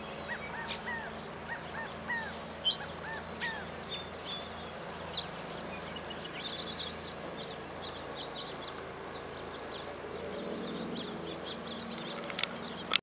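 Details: California quail calls: a quick string of brief arched notes at the start, then thinner chirps scattered through a steady rural hiss, ending with a sharp click.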